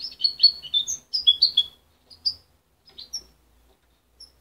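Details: Young goldfinch hybrid, raised by its mother rather than hand-reared and separated at 23 days, still muddling its song: a dense burst of high twittering, warbled notes for under two seconds, then a few scattered chirps with pauses between.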